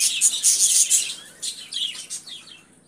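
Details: Budgerigars chirping: a quick burst of bright, loud squeaks, then a few separate downward-sliding chirps that trail off into quiet.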